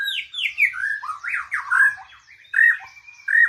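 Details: Oriental magpie-robin calling: a run of bright whistled and slurred notes, some falling and some rising, broken by short pauses and ending in two loud sweeping phrases.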